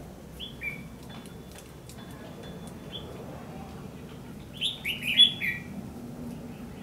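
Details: Red-whiskered bulbul fighting song used as a trapping lure, recorded 14 December 2015: sparse thin whistled notes at first, then a loud, fast, bubbling warbled phrase near the end, with light background noise.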